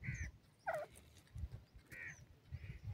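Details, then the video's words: Grey francolin (dakhni teetar) chicks calling: short, buzzy, slightly harmonic notes, some low and nasal, given in a loose series about once a second, over soft low thumps and handling noise. "dakhni teetar ki awaz"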